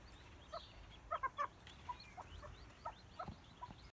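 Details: A male red-legged partridge (Alectoris rufa) calls his chicks with soft, short clucking notes in small irregular bursts, several closely bunched, over a quiet rustling background.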